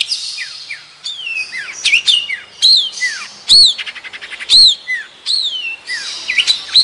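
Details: A Madura long-tailed shrike sings its natural song, a fast, varied medley of sharp downslurred whistles, scratchy chatter and buzzy clicks, with a bright rising note repeated about once a second.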